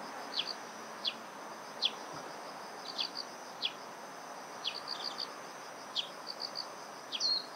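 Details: A juvenile Brown-eared bulbul, with a parent, by a river gives thin, high, sharp chips, singly or in quick pairs, about once a second, over a steady high insect drone and soft background hiss.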